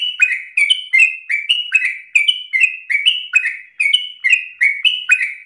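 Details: Energetic yellow-vented bulbul in ropel style, a relentless fast song used to provoke and tutor other birds: bright chattering notes, each slurring downward, repeated in tight pairs and triplets with a clean, quiet background.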